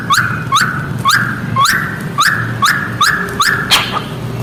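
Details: Crested shrike-tit (falk Australia) singing in the style called "calling chickens": a clear, loud, whistled upslurred note repeated about twice a second, eight in a row, then a sharper final note, over a low steady hum.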